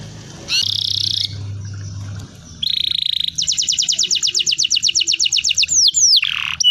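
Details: Canary song played to lure young canaries into singing: bright buzzy high phrases, then a fast regular trill of about four notes a second, ending in sweeping whistled slurs, with a low hum beneath the opening phrases.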